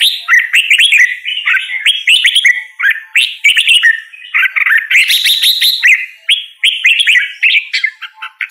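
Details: Red-whiskered bulbul singing: a dense, almost unbroken run of quick chirpy, warbled notes grouped in short bursts at mid to high pitch, with brief pauses near three and six seconds and no other clear sounds.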